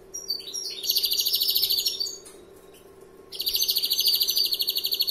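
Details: Long rolling trills from a young European greenfinch in larguero style, dense rapid repeated notes broken by a short quiet gap, against a low steady hum.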